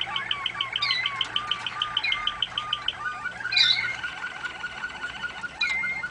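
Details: Waterslager canaries singing for song training: fast rolling trills of evenly repeated notes, running on continuously, joined by bright whistled slides and a louder burst near the middle, with several birds overlapping.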